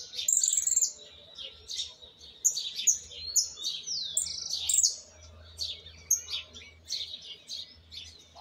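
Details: Argentine white goldfinch youngster practising its misisipi song, base in place but unfinished: dense high chattering twitters mixed with sharp sweeping whistles and short buzzy rolls, phrases tumbling one after another.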